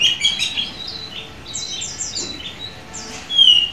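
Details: Oriental magpie-robin at auction, recorded at midday, giving softer varied song: thin high whistles and slurred descending notes in short phrases, ending in a louder clear whistle.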